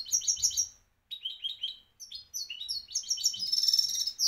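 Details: European goldfinch singing in Moroccan champion style: quick, bright, tinkling chirps in tight clusters, about three notes per second, ending in a fast buzzy trill.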